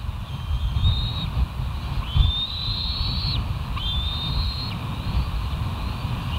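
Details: Bald eagles at the West End nest on a live nature cam, recorded July 13, 2023, giving three thin high whistled calls that rise slightly and hold steady, over constant low rumbling wind or background noise.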